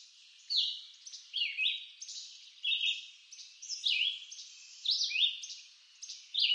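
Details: Red-eyed vireo in an eastern North American woodland, delivering a run of brief whistled phrases about every second, some rising and some falling. The phrases alternate in shape, and no other clear sounds are present.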